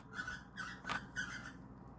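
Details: Indoor cockatiels during an attempt to mate give a few short squeaky notes, then a sharper squawk and two more chirps, within two seconds.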